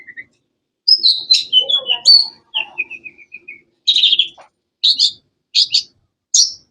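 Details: A cendet, the long-tailed shrike, gives sharp high whistles, a descending run of six short notes, then four evenly spaced buzzy bursts about every seven tenths of a second.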